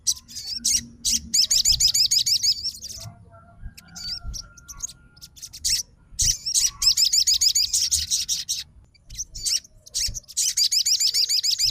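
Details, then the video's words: Sogon fighter responding right away to a singing sogon: fast repeated high looping whistles in long runs, broken by short pauses and single sharp notes, then resuming strongly near the end. "SOGON FIGHTER LANGSUNG RESPON DENGAR SUARA SOGON GACOR"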